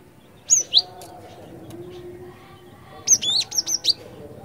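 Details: Cinereous tit (glatik batu) singing energetically, recorded for luring other birds: two sharp high notes, then after a pause a quicker run of five clipped, falling whistles, with soft background hum.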